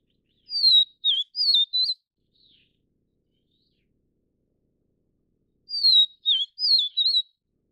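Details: Whistled song of a Vivid Niltava, subspecies vivida, from Taiwan: a four-note phrase of smooth, high slurred whistles, repeated after roughly five seconds of quiet.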